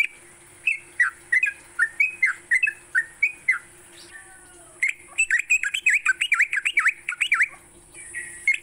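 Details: Morning song of a sooty-headed bulbul meant for training songbirds: a run of short whistled, dipping notes, a brief pause with a lower sliding sound, then a faster chattering burst of rising and falling notes.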